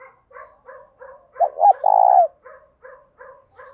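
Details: Spotted dove with a "thổ pha thúc" voice, calling in the morning to draw in wild doves. Steady soft paired coos surround one loud burst of two short notes and a long, even, sustained coo.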